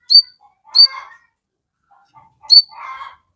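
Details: Crested jay sounds played to make other birds call back quickly: a piercing high note, a second one with a short rasping chatter, then after a pause another shrill note trailing into a harsh, buzzy chatter.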